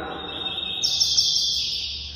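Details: Classic tui tui zel zel song with third note from a two-year-old male coleiro (Double-collared Seedeater) changing from spotted to black plumage; a level high whistled tone rises abruptly into a brighter, longer held note, lasting about two seconds.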